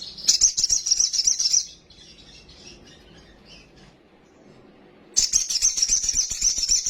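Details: A sunbird, an untrained bird, sings a full lure song for making others agitated. Two long, very high, rapid, buzzy trills, each nearly two seconds, separated by a quiet gap with faint twittering.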